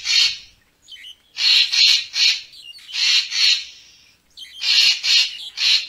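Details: A Racket-tailed treepie gives rasping, noisy notes in pairs and triplets, with brief higher chips between them. The recording serves as a lure for bird photography.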